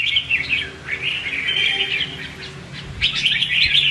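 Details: Red-whiskered bulbul decoy song in the 'hót ché' fighting style: a fluttering warbled phrase, a brief quieter gap, then another fast chattering burst, with a low background drone.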